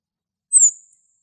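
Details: A male cirl bunting in Greek countryside gives one thin, very high note that slides slightly downward and is over in about a third of a second. No other sounds are heard.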